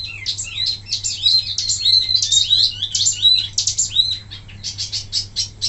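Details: Wambi singing for bird-training purposes, a continuous stream of sharp, high twittering notes and quick slurred whistles, ending in a fast run of repeated clipped chips over a faint low hum.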